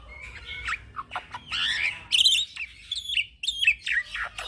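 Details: Young black-winged myna pouring out continuous song, meant as a lure for training other birds: mixed grating squawks, rough buzzy phrases and brief whistled notes.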